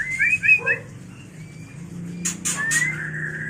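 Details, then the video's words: White-rumped shama mating call for training and luring birds: a fast warbled run of whistles, a thin long note, sharp clicks, then a long level whistle over low hum. "Suara murai batu kawin paling ampuh untuk terapi dan pikat burung agar cepat gacor"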